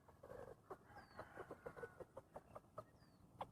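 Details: Free-ranging chickens foraging on grass and weeds in Hmong hillside fields near forest; a run of short, evenly spaced clucks, roughly five per second, over a low rural hum, with faint thin bird chirps above.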